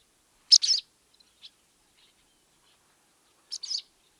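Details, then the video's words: Chatter call of a barn swallow: a bright double chirp, a tiny isolated note, then another paired burst of high twittering after a pause. "How to attract Barn Swallow ? | Voice & Sounds | Chatter call"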